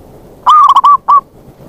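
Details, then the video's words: Zebra dove lure call for drawing in wild birds: after a short silence comes a rapid run of clipped coos and a sustained coo, with a separate closing coo just after. Faint background hiss. "Pancingan bunyi + pemanggil perkutut liar"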